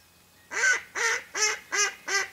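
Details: Five rapid, loud, nasal quacks about every third of a second from a mallard hen used to lure ducks for hunting, each note harsh and evenly spaced.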